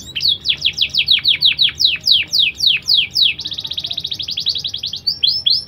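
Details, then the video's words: Canary of a BBSF x Berner cross, singing a black-throat-filled song meant for tutoring young birds: a run of loud descending whistled sweeps about three per second, then a fast even rattling trill and renewed sweeps. "kenari gacor isian blacktroath"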